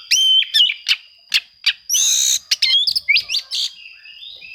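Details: Oriental magpie-robin singing as if seeking rivals, a song used to provoke quiet magpie-robins into singing: loud bursts of sweet rising whistles mixed with sharp harsh notes and rasping phrases, over a steady thin high whine.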